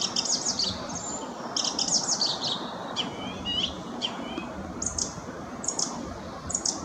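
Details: Song thrush, while feeding nestlings with worms, sings bright, high chirping phrases in short bursts, some repeated (its song often repeats a short melody three times, sometimes imitating other birds), over a steady wash of background noise.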